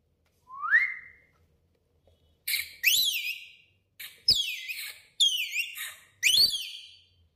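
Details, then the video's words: Lorikeet in a small echoing washroom gives a rising clear whistle, then a run of five harsh, buzzy bursts with sweeping whistled notes, about one each second. "lorikeet laila whistling in washroom"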